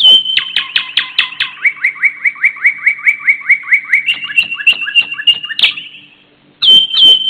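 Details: Thrush nightingale singing in spring at sunrise: a loud series of rapid repeated notes, each dropping from high to low, delivered in a fast rhythmic run, then a sustained high whistle, a pause, and another whistled phrase.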